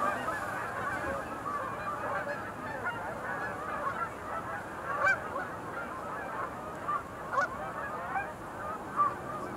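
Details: A large flock of sandhill cranes at a refuge visitor-center pool in late November gives a dense, continuous chorus of rolling, trumpeting calls, with a few louder calls standing out every second or two.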